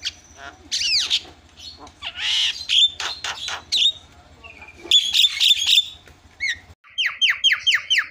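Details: Javan myna lure recording for prompting other mynas to call: a busy medley of loud harsh squawks, buzzy rasps and clear whistles, closing with a quick series of repeated downslurred whistled notes.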